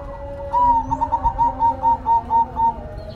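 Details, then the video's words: Perkutut, or zebra dove, singing busily: one longer opening coo, then about ten short, bright, evenly timed notes on a level pitch, with a quiet steady hum below. "Perkutut Golden Gacor"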